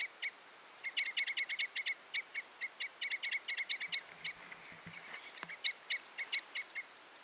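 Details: Common Crossbill in a lively series of rapid metallic chips, some run together, with a few low knocks or thumps midway.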